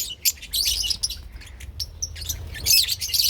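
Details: Lovebirds, including parblue opaline birds, giving shrill high chirps and squeaky chatter in short overlapping bursts, with brief gaps between flurries.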